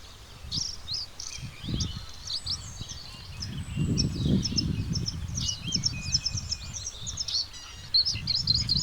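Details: A Bluethroat sings a varied stream of high chirps, trills and short whistled slurs, with steady low rumbling noise underneath.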